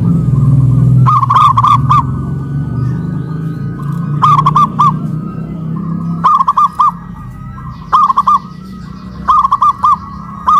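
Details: Local zebra doves in cages hoisted on poles in West Java, singing in duet: short bursts of three or four rapid coo notes repeating every couple of seconds, over a steady low rumble that fades midway.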